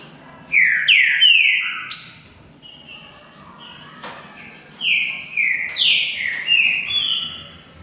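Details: Green-winged saltator in a singing contest between two birds: loud, clear whistled notes slurring downward, given in two bursts of four to five notes separated by a pause, with faint background hiss.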